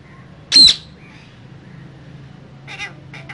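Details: Caged green parrot pair: one piercing, high screech, followed after a pause by softer, scratchy chatter notes.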